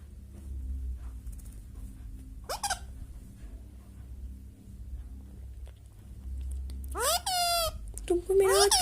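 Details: Indian ringneck parrot giving natural whistles: after a long quiet stretch, two loud harmonic whistled calls near the end, each sweeping sharply up then leveling, the second ending in a steady held tone.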